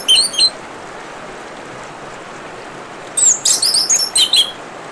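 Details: Orange-headed thrush with trickling water behind it: a short chirpy opening phrase, nearly three seconds of water alone, then a rapid jumble of high twittering and whistled notes.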